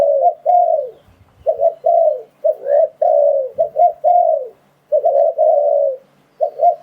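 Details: Lure call of a spotted dove, used to draw in wild doves: a steady run of soft, husky coo-croo-croo phrases, each a short note followed by a longer falling coo, with brief pauses between groups.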